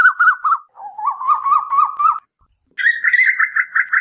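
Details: Asian koel calls, a recording used at night as lure audio: a run of wavy whistled notes near one pitch, a short pause, then a quicker series of higher, slightly rising bubbly notes.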